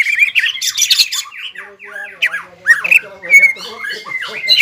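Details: Caged greater green leafbird in aroused, emotional song: loud scratchy whistled slurs, then a sequence of downward-sweeping harsh notes and buzzy chatter.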